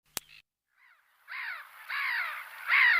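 A gull gives three harsh, drawn-out cries, each falling at the end, about one every half-second to second, after a sharp click at the start.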